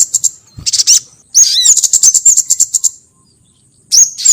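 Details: Lure call for drawing in sogon birds: a quick run of shrill, high ticks and chirps, one swooping note, then a pause before more piercing chirps at the end.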